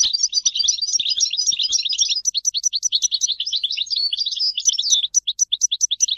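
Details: European goldfinch in continuous song: a dense, fast jangle of twittering notes and trills, turning into regularly spaced sharp chirps toward the end.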